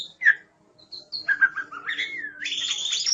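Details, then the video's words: Oriental magpie-robin song phrase: scattered short chirps, then a rising whistled slur leading into a loud, buzzy high chatter at the end. "Suara Burung Kacer"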